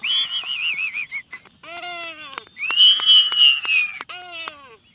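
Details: Black-footed albatross courtship dance: wavering, whistled wailing notes that rise and fall, a few sharp clicks between them, and a sustained bright moan in the middle.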